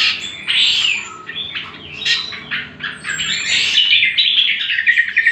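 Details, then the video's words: Greater green leafbird song meant for training other birds: varied, continuous warbling with sliding whistles, buzzy notes and quick chirps that grow denser and louder toward the end, over a low background hum. "Pancingan dan Masteran Cucak Kombo"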